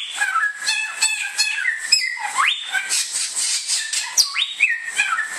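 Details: Indonesian Bare-throated whistler (samyong) opens with soft repeated chatter, then gives two strong rising whistled sweeps separated by level notes, backed by a steady high-pitched hiss.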